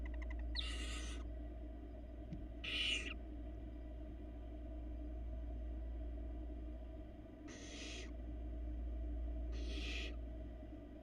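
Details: Female barn owl feeding her four downy nestlings in Florida, 2022; the young give four separate hoarse, hissing screeches, spaced irregularly over about eleven seconds, with a steady low electrical hum underneath.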